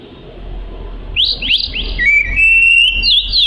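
An Oriental magpie-robin sings three quick rising whistled notes, then a long, sweet, level whistle with a slight warble, over a faint low hum.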